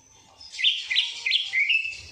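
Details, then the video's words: A greater green leafbird delivers an isian kapas tembak phrase of four crisp, rising chirps, the final one drawn out as a short whistle, with little else audible. "CUCAK IJO ISIAN KAPAS TEMBAK"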